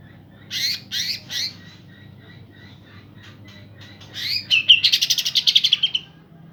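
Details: Green leafbirds, a pair, sing vigorously to provoke off-form birds. Three loud buzzy bursts come first, then soft scattered notes, then a rapid, rattling, high warbled run near the end.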